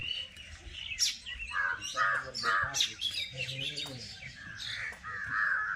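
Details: Birds chirping in a village, a busy mix of short high squeaky chirps and tweets from several birds, with a faint low background hum.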